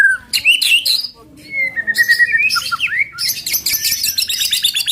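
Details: White-rumped shama 'tembakan' song used to stir other birds: whistled slurs and a trilled steady note, ending in a dense buzzy high chatter.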